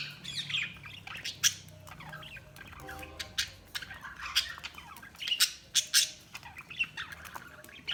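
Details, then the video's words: Chattering budgerigars give quick scratchy chirps and warbled notes, some sharp clicks and squeaks scattered throughout, with a low background hum. "Budgies Sounds| Budgies Chirping sound"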